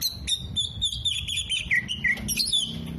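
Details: Oriental magpie-robin in energetic song with tail opened, imitating 'kolibri', 'jenggot' and lovebird; a steady stream of high thin whistled notes with a few lower slurred dips.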